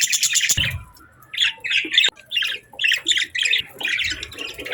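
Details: Budgerigar warbling in short squawky chirps, each note burst quick and scratchy, delivered in a stop-start series with brief gaps between phrases.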